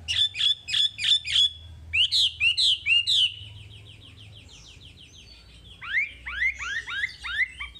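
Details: Wambi masteran song with repeated crisp high notes, a series of downslurred whistles, a faint trailing buzz, then quick descending chirps close together.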